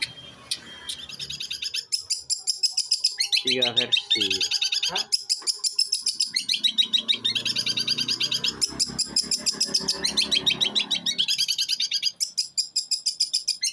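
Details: Caged long-tailed shrike, eight months old, from Jember, East Java, singing in one continuous breath with learned mimicry material: rapid varied chattering and sharp notes mostly high-pitched, a few lower buzzy bursts, steady fast rhythm throughout.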